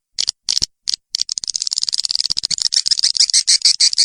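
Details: Sound played to attract swiftlets: a few isolated high clicks, then a fast, accelerating train of sharp ticking clicks and chirps.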